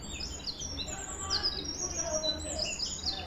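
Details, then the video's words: Canary giving sparse, thin high chirps and short sweeping notes, some rising and some falling, over a steady low hum. "Canary Singing"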